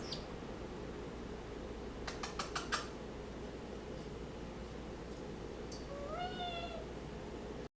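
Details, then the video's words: A 10-year-old female pet Senegal parrot hanging on her cage gives five quick clicks, then a single short, rising, meow-like whistled call near the end, over a steady indoor hum. "Senegal Parrot talking and making some noise"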